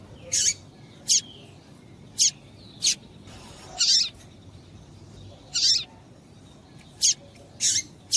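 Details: Female double-collared seedeater calling to stimulate a male to sing: short, sharp high piping notes at irregular intervals of about one to two seconds, some paired, against quiet background hiss.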